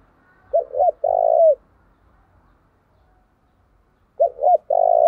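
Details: Energetic fight-provoking calls of a decoy spotted dove: a low double coo followed by a drawn-out burred coo. After a pause of about three seconds the phrase begins again, over faint low background rumble.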